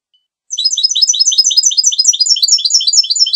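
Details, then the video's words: Goldfinch singing a quick, continuous, high twittering warble of repeated chirping notes that begins after half a second of quiet. "Canto del Jilguero"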